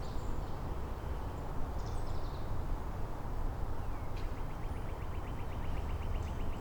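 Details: Northern Cardinal singing in Angrignon Park on March 19, part of an exchange among neighbouring cardinals; one slurred downward whistle, then a steady fast series of about fifteen identical short notes, with faint higher chirps earlier and low rumble throughout.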